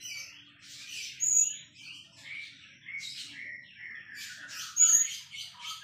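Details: White-rumped shama in continuous varied song: bright whistled notes and quick chattering trills, with sharp high piercing whistles near the start and again near the end, over a quiet background.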